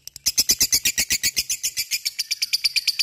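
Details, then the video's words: Lovebird delivering ngekek 'typing' song, a fast, even rattle of piercing, slightly rasping chirps, roughly seven a second, softening a little toward the end. "LOVEBIRD cik cik cerrr,suara brung labet ngetik ngekek gacor"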